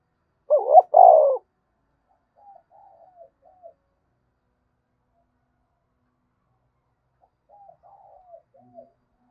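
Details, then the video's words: Spotted dove in 'thúc bổi' cooing that provokes rivals to coo: one loud double-noted coo burst at the start, followed by long pauses broken by soft wavering coo phrases in the background. "tiếng cu gáy thúc bổi cực sung mở 100% là gáy"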